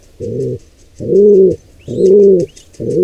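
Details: Low, rounded pigeon coos in a wild nest as an intruder pair attacks a nestling: three or four hoarse pulses about a second apart, with a couple of high whistled chirps between them.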